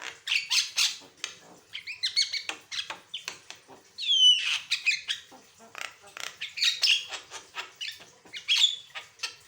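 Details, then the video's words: Persistently singing Javan myna with varied song for tutoring and prompting other birds: long run of scratchy chatter and squawks, with a clear down-slurred whistle near the middle and short whistled notes toward the end. "Burung jalak kebo gacor, suara variasi"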